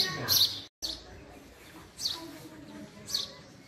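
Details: House sparrow giving short, sharp high chirps, one loud burst at the start, then two single chirps about a second apart, over a steady low background hiss.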